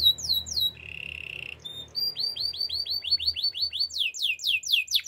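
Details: Canary singing for training, with fast downward-sweeping whistled notes repeated in quick series, a long steady buzzy trill near the middle, then rising and falling rapid phrases to the end.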